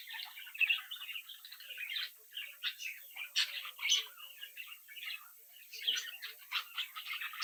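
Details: Young captive-bred budgerigar chicks, a playful brood interacting, chirping, singing and mimicking; dense warbled chatter of scratchy chirps and squeaky notes, several birds overlapping continuously with sharp clicks.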